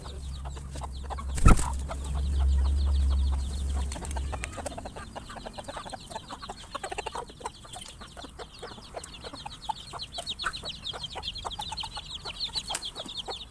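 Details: A flock of farm chickens at their meal, surprised by a sudden noise: a loud thud early on, then rapid pecking clicks and many thin, high chirping calls overlapping throughout, with low background rumble.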